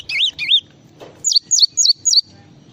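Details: Java sparrow in a songbird training recording: two rolling, wavy warbled notes followed after a short pause by four clear, evenly spaced chirps that drop in pitch.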